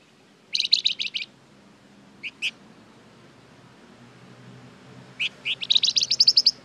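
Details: Flamboyan in full voice, used as a lure to make other birds respond: rapid bursts of very high, sharp chattering pulses, a short pair of notes mid-way, then a longer fast trill at the end, over quiet background hiss.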